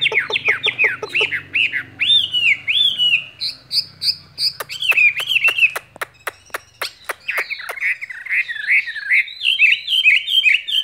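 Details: Skylark in a cage singing a lively spring love song of rapid slurred chirps and descending whistled notes. It is punctuated by a run of loud sharp clicks, with a low hum in the first seconds.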